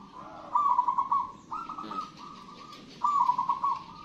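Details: A wild local zebra dove sings busily. It gives three rolling, purring coo phrases, each about a second long, separated by short pauses, with a faint background hum.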